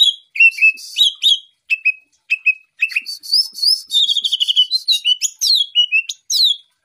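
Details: Greater green leafbird, a champion songbird, in a full-isian masteran: varied whistled slurs and chips in irregular bursts, including a rapid rattling trill mid-phrase and sharp downward-sweeping notes.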